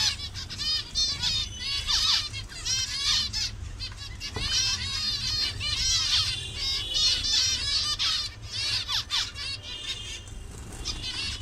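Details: Captive colony of zebra finches in Bangladesh showing colour variations; dense overlapping chatter of high nasal beeps and short buzzy notes from many birds, with a faint voice and steady low hum beneath.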